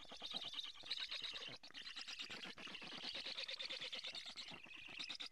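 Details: Storklets of the black stork begging for food at a nest in Karula, Estonia, in early July; a fast, harsh, churring stream of calls, roughly three pulses per second, steady without pause.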